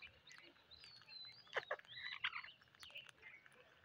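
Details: Parrots on a rainy day give a pair of rough calls in quick succession, set against thin whistles from other birds and a steady background hiss.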